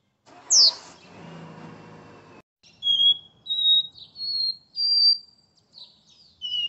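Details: Capped Seedeater in São Paulo singing the Porta-voz style on 12 August: after a burst of handling noise and a sharp squeak, a sequence of pure whistled notes climbs step by step, ending in short slurred descending notes.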